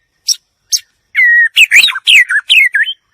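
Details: White-rumped shama song: two separate sharp high ticks, then a long steady whistle followed by a lively string of rising, falling and looping melodious notes.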